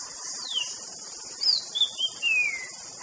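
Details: White-rumped shama whistles: thin notes sliding downward, a brief high note, then a long falling whistle, half masked by a loud steady insect chorus.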